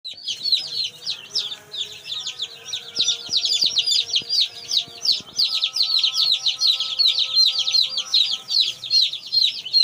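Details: One-day-old chicks on a farm, kroiler birds, give dense overlapping high peeps, each a short downward-sweeping chirp, many callers at once in a continuous chorus, with faint steady hum tones and a few clicks beneath.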